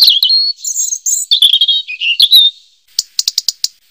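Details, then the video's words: High, fast warbling robin song of sliding whistles, chattering trills and squeaky phrases for over two seconds, followed by a brief pause and a string of six sharp, dry clicks. "Suara Burung Robin"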